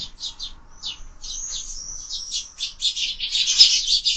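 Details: Sparrows fighting at a window-mounted feeder: rapid bursts of chirps and squabbling twitters, building to a dense noisy chatter toward the end.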